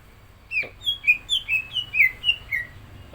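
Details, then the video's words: Green leafbird singing its borrowed-phrase song before a contest: a rapid chain of about nine bright whistled notes, alternating slightly higher and lower, each gliding down, over faint background rumble. "CUCAK IJO GACOR ISIAN"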